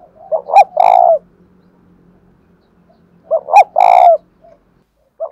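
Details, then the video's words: Captive spotted dove cooing in the 'giọng đồng thổ' manner: two phrases about three seconds apart, each a soft lead-in, two quick rising notes and a loud sustained low coo, with a faint hum behind. "cu gáy giọng đồng thổ thúc rút bổi nghe cái gáy luân và ngay"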